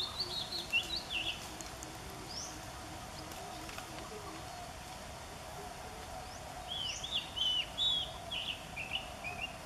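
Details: An Oriental Magpie-Robin (Copsychus saularis) sings short, varied whistled phrases in two high, sliding, warbling bursts over a low hum, at a nature study centre in Maha Sarakham, Thailand, on 8 February 2014.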